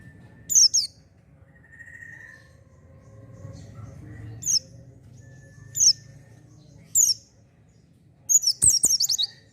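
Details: Oriental white-eye lure recording for untrained birds: isolated short, very high chirps spaced a second or more apart, a soft whistled note, then a quick twittering burst at the end over a low humming background.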